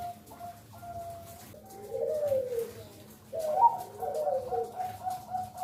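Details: Female zebra dove calling to draw males into singing: two soft, rolling coo phrases of quick warbled notes sliding downward, the second louder, over a faint continuous background hum.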